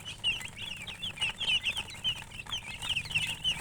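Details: Hen and chickens chirping. Quick, bright, high peeps follow each other in irregular bursts, sometimes several overlapping, with brief pauses, over a faint low hum.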